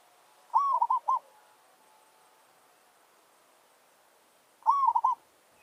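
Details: A zebra dove from a village, used to lure wild doves, gives two short rolling coo phrases about four seconds apart, each a burst of quick trilled notes, with quiet between.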